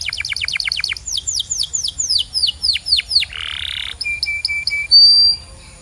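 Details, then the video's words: Canary song for training other canaries: a fast string of repeated high slurs, slower descending swoops, a harsh buzzy burst, a thin flat trill and a sharp high whistle. "This Singing Canary Will Make Yours Sing Instantly!"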